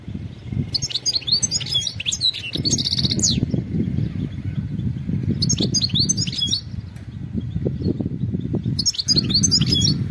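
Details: European goldfinch, presented as a wild bird calling, in bursts of rapid twittering, tinkling phrases separated by pauses, over a steady low rumble of background noise.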